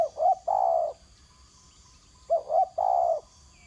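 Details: Spotted dove on the ground repeating its gentle coo, two quick notes and a longer drawn coo, heard twice about two and a half seconds apart, with a faint insect hum.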